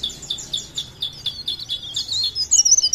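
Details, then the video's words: Leaf warbler from Parepare giving a fast, high-pitched chattering song, notes repeated several times a second, ending in a bright, thin, rising twitter. "CIKRAK DAUN | PARE PARE | BLERENG GACOR"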